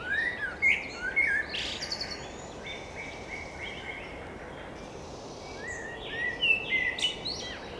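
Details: A common blackbird (Turdus merula) sings mellow, fluted phrases that break into high, squeaky twitters, in two bursts with a quieter pause between, over a steady outdoor hiss.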